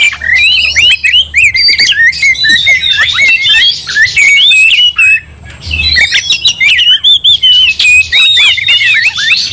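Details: Oriental magpie-robin singing aggressively while fired up for a fight that sets other magpie-robins off. Fast, scratchy warbling with rising and falling whistles and hard clicks, broken by a short pause near six seconds.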